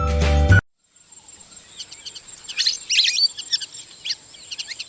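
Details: Lesser whistling duck (Indian whistling duck) at Diyasaru Park, Kotte, Colombo, Sri Lanka, giving a run of high, thin, wheezy whistled notes in quick bursts, with a steady insect drone behind and a brief burst of music at the start.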